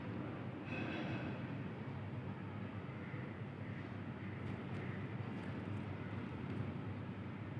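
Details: Steady low rumble of passing vehicle or train noise fills the recording, with a faint hiss above and no animal voice.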